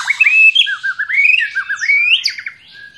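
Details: Fighter-type white-rumped shama singing in fighting style: a clear, varied run of whistled notes that rise and fall, with quick slurred trills and chirps and no other sounds.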